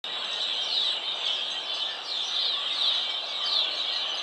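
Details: A flock of red-winged blackbirds, with a mourning dove also present, keeps up a dense, unbroken chorus of squeaky, buzzy chatter and short trills, with gurgling phrases rising and falling throughout.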